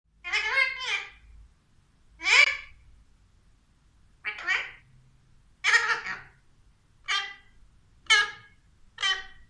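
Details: Caged Alexandrine parakeet talking: seven harsh, harmonic-rich utterances of uneven length, spaced about one to two seconds apart, some slurred and rising, in a quiet room.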